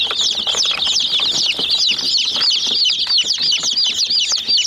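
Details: Chicken chicks attack a small toy jeep, giving loud high peeps in quick succession, roughly three per second, each slurring downward, over a crowded background of chirps and pecking taps.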